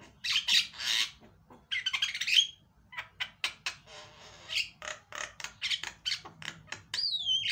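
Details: Javan myna song meant to lure a quiet myna into singing: harsh grating bursts and clipped chatter notes in uneven series, ending with a clear descending whistle.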